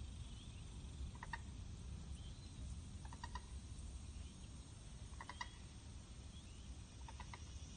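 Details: Common gallinule parent with chicks nearby at Cullinan Park, Texas: soft, clipped clucking notes in short bursts about every two seconds, over a steady low rumble of wind or distant noise.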